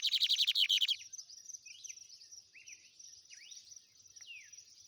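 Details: Lined seedeater, trem bala song. A loud, fast buzzy trill lasts about a second, then fades to faint, scattered downslurred whistles against a steady high background tone.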